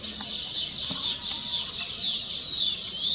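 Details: Many weaver birds singing on finished nests to celebrate their completion; shrill, wheezy chatter and quick sliding whistles from a crowd of birds, overlapping without pause.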